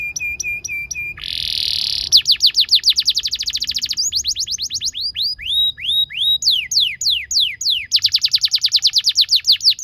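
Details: Canary song for training young canaries: short repeated notes, a harsh buzzy roll, then long rapid trills and slower sweeping whistles in varied phrases.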